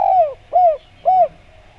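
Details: Spotted dove coos for luring other doves to answer. Three mellow, arched notes, the first longer and sliding downward, evenly spaced about half a second apart.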